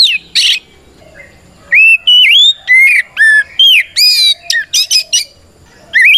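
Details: Fighting song of a white-rumped shama used to lure and anger other shamas into answering: varied clear whistles, upward slurs and buzzy trills in quick succession, each note strong and separate, over faint background hum.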